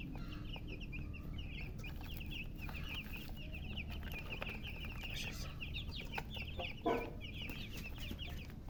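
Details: A group of baby chicks chirping with thirst for drinking water, dense rapid high falling peeps running almost without pause, a brief thump near the end, low hum beneath.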